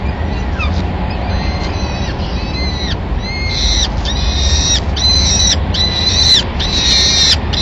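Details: Female Peregrine falcon feeding chicks a pigeon at a Madrid nest, 25 April 2016, after the watching male departs. Faint cries at first, then loud, piercing, flat-topped wails repeat steadily about once a second over low city-like noise.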